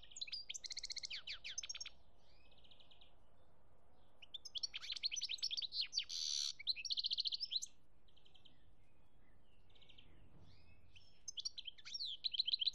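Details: European goldfinch song recorded in Algeria in 2017: lively bursts of high, tinkling twitters and buzzy trills, broken by short pauses, with a quiet gap in the middle before the song resumes at the end.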